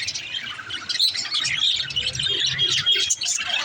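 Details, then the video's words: Busy budgerigar chatter around a mother in her nest pot: many high, quick chirps and thin whistled notes from several birds, with a slight low rumble beneath. "Mother budgie in their pot l birds chirping sound"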